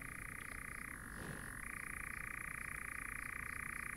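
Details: European nightjars churr at night (about 22:14) in Chizé state forest, Poitou-Charentes, France. At least three birds sing at once, each holding territory near its nest or young, in a dry, unbroken mechanical trill that dips briefly lower before returning, over a faint low hum.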